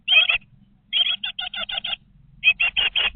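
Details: Twenty-day-old great tit nestlings inside a nest box give rasping, chattering calls in three groups of rapid buzzy notes, the middle group longest, over a quiet low hum.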